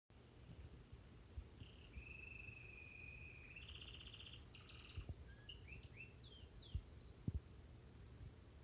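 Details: Crested Gloster canary singing at home: a quiet series of quick rising whistles, then a long level buzzy trill, followed by scattered downslurred chirps, with low indoor rumble and occasional clicks.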